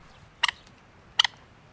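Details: In urban Rome, a Common Moorhen that has spotted an invasive coypu near its nest and chicks gives two harsh, abrupt alarm notes about three-quarters of a second apart, each a short rasping double burst over a quiet background.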